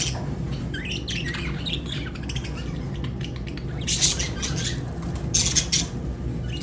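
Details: Lovebird squawks and chirps, scattered faint notes at first, then two loud harsh high bursts near the end, with a low background rumble throughout.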